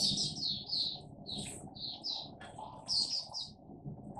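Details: Soft, high twittering bursts from a caged Oriental white-eye in 'buka' opening song, irregularly spaced, partly under a broad low background noise.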